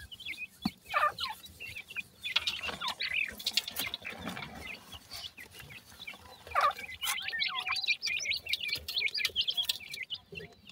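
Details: Grey francolin chicks (sindhi teetar) calling, sparse high peeps at first, then a busy chorus of quick high chirps from several young birds in the second half, with scattered knocks and rustling.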